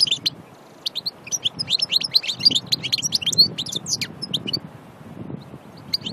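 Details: Pure-from-nature Annaba goldfinch recorded at Aïn Barbar, Algeria, singing a rapid, jangling song of high chirps and short trills for several seconds, pausing, then adding a few final notes; soft low background noise throughout.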